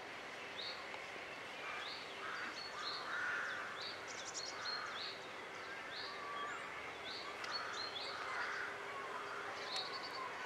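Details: A Eurasian jay in Tagbos woodland gives harsh, rasping screeches at irregular intervals, among many high, thin chirps from other small birds.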